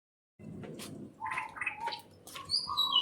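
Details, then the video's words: Birds chirping in a greenhouse: short scattered notes and brief whistled phrases, some low and flat, some high and thin, arriving in uneven bursts after a quiet start. "Greenhouse and the chirping sound of birds"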